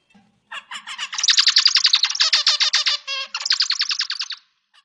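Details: A zebra finch (Taeniopygia guttata) sings a rapid run of buzzy, nasal notes with a few brief tonal whistles, recorded as tutor audio for songbirds.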